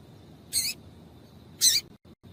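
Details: Two short, high, slightly buzzy chirps from a female double-collared seedeater, about a second apart. This call is meant to get males singing, and the background is quiet.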